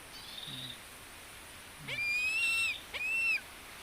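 A Philippine eagle gives two high, thin whistled calls, each slightly rising and held under a second, with a faint softer note before them.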